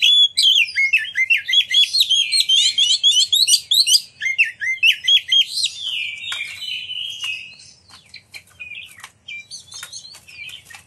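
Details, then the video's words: Oriental magpie-robin lure song to draw other magpie-robins into singing and display: fast, loud strings of sharp, high chirps about four per second, easing into softer twittering and scattered notes. "Pancingan Kacer Gacor Ngeplong Nembak! Buat Kacer Lain Ikut Buka Ekor Keluar Isian"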